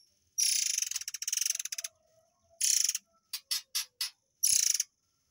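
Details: Training sound for white-rumped shamas from murai air: a long stuttering, pulsed rattle, another harsh burst, then four quick rising clipped notes and a final buzzy rattle.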